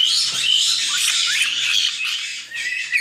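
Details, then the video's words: A brief stretch of chatter from nine white-bellied caique babies in a Texas aviary, harsh buzzy squawks with a few rising whistled notes, steady loudness. "Caique Parrot Noises - Listen to White-bellied Caique Babies"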